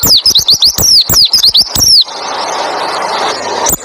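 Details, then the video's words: White-eye in 'roll tembak ngalas' style, used as tutor song to prompt other white-eyes to sing along: two seconds of quick, high, down-slurred whistles with crisp ticks, then steady hiss until a brief whistle near the end. "Masteran burung pleci roll tembak ngalas bikin burung pleci lain ikut bunyi nembak ngalas"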